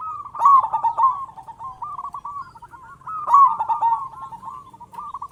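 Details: Loud-voiced local zebra dove calling steadily, meant to lure other zebra doves into calling: two bursts of burry, rolling coos, each opening with a quick stutter and trailing into a string of softer, bouncing notes.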